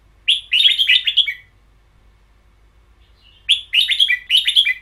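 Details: Caged red-whiskered bulbul singing the long double-note style known in Thai as ber yao: two bursts of rich, chattering, slurred whistled notes repeated quickly, separated by two seconds of silence.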